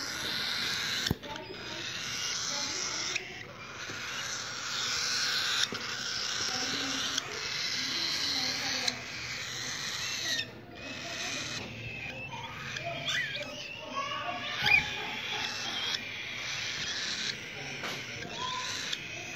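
Cockatiel chicks give a continuous raspy, hissing chorus of begging calls while being hand fed.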